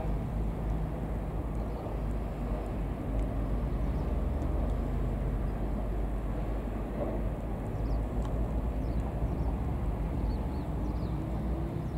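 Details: Steady low rumble of engine or wind noise outdoors, with no clear animal calls.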